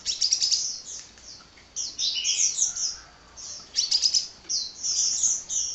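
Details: Sunbird, locally called kolibri, chattering nonstop: dense high-pitched twitters and sweeping chirps run in runs of about a second, with short quiet gaps between them.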